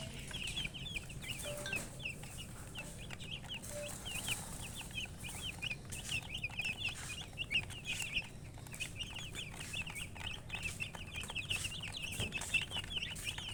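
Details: A group of chicks peeps steadily, a long continuous run of short high chirps from many birds, briefly pausing midway, over a low hum.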